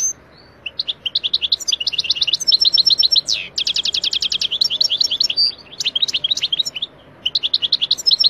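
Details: Wild European goldfinch singing in Algeria, background noise removed: rapid, bright twittering runs of high tinkling notes, with buzzy slurred phrases and a quick descending sweep in the middle, pausing briefly between bursts.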